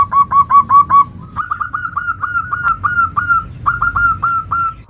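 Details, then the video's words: Zebra dove of local stock singing a "nutut" variation for luring other doves: five fast coos, then a slower, drawn-out series of slightly higher, sliding notes running to the end. "Macam macam Suara NUTUT variasi perkutut lokal gacor - Ampuh untuk Pancingan semua jenis perkutut"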